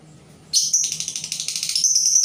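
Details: Lure labet bird, a decoy kept to attract other labet birds, giving a dense burst of high, sharp chirping notes that starts abruptly and continues without pause, with a faint low hum beneath.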